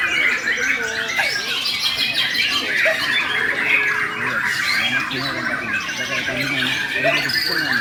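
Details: Borneo white-rumped shama performing aggressively, its fighting-style song loud and energetic: rapid rattling trills, squawky bursts and high whistled notes packed tightly throughout, with constant background noise and low murmuring sounds.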